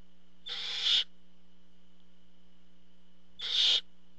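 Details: Barn owl at the nest when the parent brings food, giving two rasping, hissing screeches about three seconds apart, each about half a second long, over a faint constant hum.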